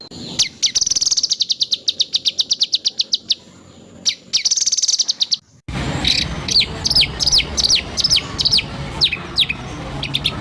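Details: White-rumped shama (murai batu) in a spliced training recording, full of harsh rapid-fire phrases, for teaching songbirds: a long run of quick, sharp, evenly repeated high notes, then an abrupt cut to a fast series of descending whistled slurs over steady hiss.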